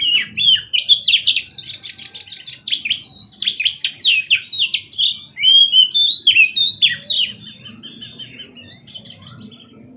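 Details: Oriental magpie-robin in full, persistent song while dancing: rapid bursts of sharp high notes and whistled slurs, rhythmic pulses about twice a second, fading softer toward the end.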